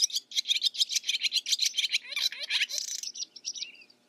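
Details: Barn swallow song of fast, evenly repeated high chirps, shifting into downslurred notes and a grating buzzy rattle before fading out.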